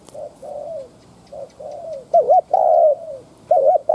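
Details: Lure spotted dove giving its provoking coo toward wild doves: soft, distant plain coos open, then loud close phrases of a wavering double note and a long falling coo.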